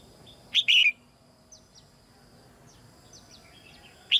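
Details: Female red-whiskered bulbul singing in a cage so young birds will sing more; one loud whistled phrase, faint thin downslurred chirps of other birds, then another phrase beginning at the end.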